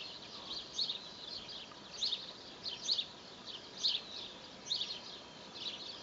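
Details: Spring recording of a young tit perched in an apple tree: short high twittering notes in small bursts, repeated about every second, with faint environmental noise behind.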